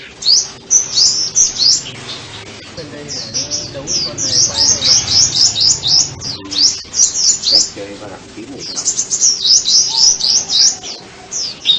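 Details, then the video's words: Sunbird pouring out fast, high, twittering phrases of short sweeping notes, about four per second, with soft voices murmuring underneath. "Tiếng chim hút mật"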